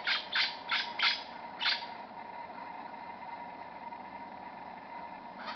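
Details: A superb lyrebird (Menura novaehollandiae), hidden in scrub only a few metres away at Bungonia State Conservation Area, imitates other forest birds with five quick, harsh, scratchy notes in under two seconds, then silence over a steady hum.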